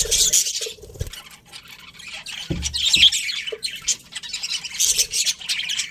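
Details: Budgerigar colony of colourful birds with breeding pairs, giving loud squawky chirps and rasping warbles in uneven bursts, several birds overlapping, with brief low knocks between.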